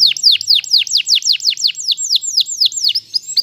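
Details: Canary master song meant for training pet birds to sing, a series of about fourteen high downslurred whistled notes, repeated roughly every quarter second in an even steady run.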